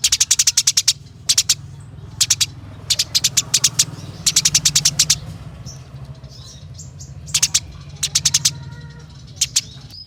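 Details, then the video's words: Fighting Eurasian tree sparrow chirping in rolling bursts: rapid runs of sharp, high chirps repeated in groups of five to ten, broken by brief gaps and a few softer squeaky notes, over a low background hum. "Masteran Burung Gereja Tarung Gacor Ngeroll Abis"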